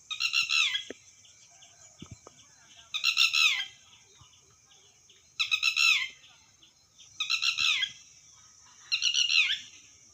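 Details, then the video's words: A Red-wattled Lapwing gives five loud, shrill, ringing bursts of several quick notes, about one every two seconds, over faint background noise. "Red watteld bird sound tatteri"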